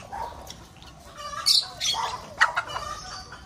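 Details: Lovebirds breeding in an aviary give a few scattered high squeaks and harsh chirps, the loudest bursts in the middle, amid soft ongoing chatter.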